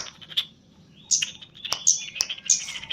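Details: Caged Javan chestnut-capped thrush in training, giving a brief whistle then a cluster of piercing high chirps and snaps, the phrase quickening toward the end.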